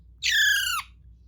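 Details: A pet parrot being taught to talk gives a single clear, tonal squawk lasting about half a second. It holds a level pitch, then drops at the end, in a quiet indoor room.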